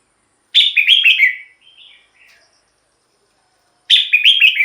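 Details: Red-whiskered bulbul song for decoy use or to excite birds. A loud bubbly phrase falls in pitch and trails into soft whistles. After about two seconds of silence, a second similar phrase begins.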